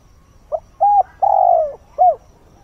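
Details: Decoy spotted dove calling at dawn to lure wild birds: a soft short note, a level hoot, a long drawn coo sliding lower, then a brief arched closing note, all in a low mellow register.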